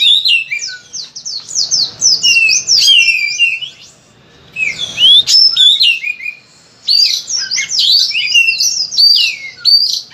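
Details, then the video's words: Kacer, the Oriental magpie-robin, in full isian style: dense jumbled runs of high chirps, slurred whistles and scratchy notes in three long bursts split by brief quiet gaps, loud and forceful, meant to coax other magpie-robins into song. "Masteran Suara Kacer Gacor Volume Ngotot Full Isian"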